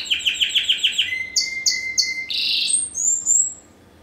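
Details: A 2015 first-generation cross of Spanish Timbrado with wild canary sings a string of rapid slurred notes, three short separate chirps, then a dense burst and fading high whistles.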